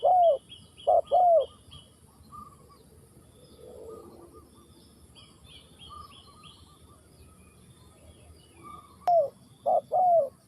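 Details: Spotted dove from Ninh Thuận cooing in short bursts of clipped-then-falling paired notes at the start and end, separated by a quiet stretch filled with faint high chirping from other birds.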